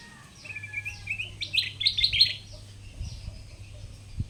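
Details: Caged Sooty-headed bulbul, a wild-caught bird tamed and now singing nearly every minute, gives a run of short chirped notes, then a quick burst of bright, rising twittery phrases, with a steady low hum behind.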